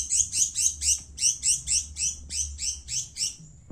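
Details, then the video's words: Long-tailed shrike (cendet) from Madura, singing energetically: about a dozen high, harsh, scratchy notes repeated roughly three per second at a steady pace, over a low background rumble. "burung cendet madura asli gacor"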